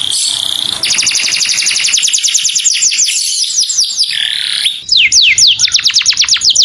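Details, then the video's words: A clear-voiced canary calls to its companion. It gives a long rapid trill of high notes and a short buzzy passage, then several widely spaced, sharply falling whistles. "O SOM DE UM CANÁRIO CHAMANDO SEU AMIGO, VOZ CLARA"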